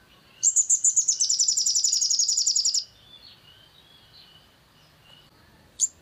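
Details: Crimson sunbird trill used to work up another bird's song: a loud, fast, high-pitched rattle of thin pulses lasting over two seconds, soft faint notes afterward, and one sharp chip at the end.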